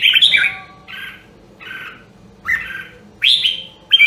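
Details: Voice-training red-whiskered bulbul from Nam Đông, Huế: a bright warble opens, followed by softer mellow double notes and then loud rising whistled phrases at the close; faint low hum.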